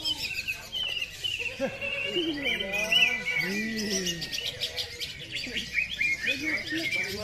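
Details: At a songbird contest with 15 hanging stations, a greater green leafbird pours out a long, shrill run of high whistles and chattering trills without pause, with people talking; it later drops to the floor, ending its performance.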